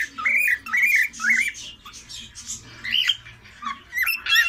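A cockatiel whistles a run of bright, looping phrases that rise and bend, with short pauses between.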